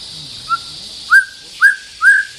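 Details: White-rumped shama, territorial and facing a rival, gives a few slurred rising whistles about half a second apart, each trailing into a held tone, over a faint low hum.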